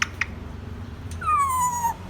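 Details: A pet grey parrot, coaxed indoors to say hello, gives one clear, slightly falling whistle lasting about two-thirds of a second after a couple of soft clicks, in a quiet room.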